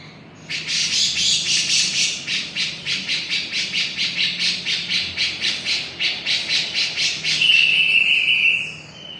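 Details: Long run of raspy, evenly spaced scolding notes by a Javan grey-cheeked bulbul, roughly two per second, ending in a sustained clear whistle.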